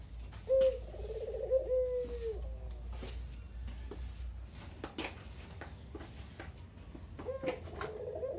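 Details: Single local Barbary dove, kept at a family home after its mate died, giving one low trilled, falling kugeru coo, followed by clicks and knocks before another coo begins at the end.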